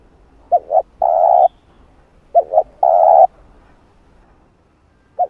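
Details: Spotted dove cooing meant to stimulate wild doves to call; phrases of two short soft notes followed by a long steady coo, repeated twice about two seconds apart, then a lone short note.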